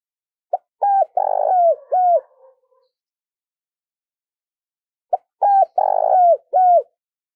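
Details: Spotted dove; coo; decoy bird cooing to lure wild doves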